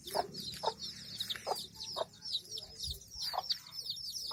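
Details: Hen with her chicks: a dense chorus of high, rapid chick peeps runs throughout, with low soft clucks and scattered knocks underneath.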